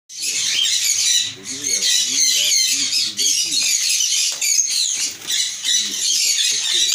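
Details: An adult pair of Sun conures give harsh, grating screeches almost without pause, with softer voice-like chatter beneath.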